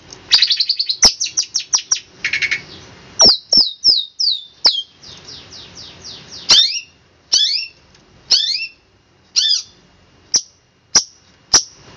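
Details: Long-tailed shrike master song, crystal shot style used for training birds: a fast stuttering trill, then bright whistled notes sliding downward, followed by sharp separated chips roughly every second.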